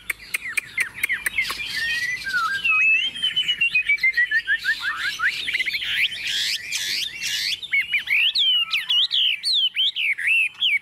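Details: Tame Chinese hwamei singing while set on a table: sharp clicks, then a long flowing series of loud slurred whistles and fast repeated rising-falling phrases.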